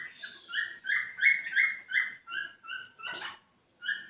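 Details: Courting male cockatiel whistling to encourage a female to breed, giving loud, rising whistled phrases that gradually soften into shorter notes, broken near the end by a brief rough scratchy burst.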